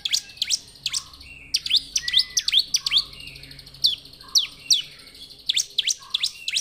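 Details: Bar-winged prinia in afternoon song, a busy stream of sharp downward-sweeping chips and squeaky notes, interspersed with short lower rolling notes and a few slurred whistles.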